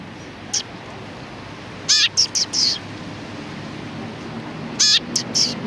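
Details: Several sparrows calling on 31 October 2019, with a lone high chirp, then a rasping buzzy note with a few chirps, and after a pause a similar harsh call and chirp.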